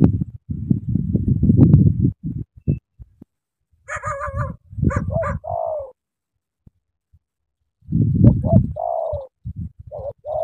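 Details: Spotted dove from Cà Mau, Vietnam: low, gruff rumbling phrases with a few sharp, higher chirps in between. Several smooth, falling coos stand out, one in the middle and more toward the end.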